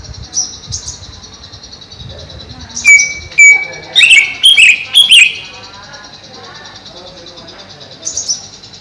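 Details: Greater green leafbird in a cage over a pond, kept there to stay cool: a couple of thin whistles, then a quick run of loud, sharp chirping notes, with a constant high buzzing hum behind.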